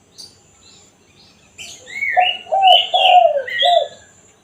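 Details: Spotted dove, one-kuk style call for luring wild doves: after a quiet start with a few chirps, one phrase of four mellow coos, the middle ones longest, mixed with whistling small birds.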